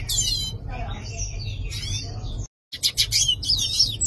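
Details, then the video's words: Yellow-faced siskin giving high twittering notes and long drawn wavering whistles, broken by a brief silent gap before rapid chattering resumes; faint low hum behind. "Pintassilgo do nordeste cantando - Yellow faced Siskin Singing"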